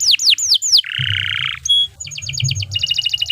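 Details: Long energetic canary song meant for tutoring other birds: four steep falling whistles, a rough buzzy rattle, a brief pure tone, then quick clipped repeated notes in rapid bursts, varied and loud throughout.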